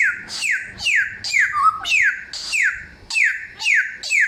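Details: Clear, loud samyong song: evenly spaced descending whistles about twice a second, each with a bright high overtone, one lower drawn-out note in the middle.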